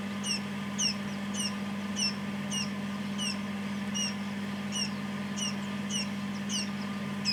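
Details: Quail chicks just hatched in a homemade fridge-freezer incubator, three out so far, give sharp high down-slurred peeps roughly twice a second, steady and insistent above a continuous low incubator hum.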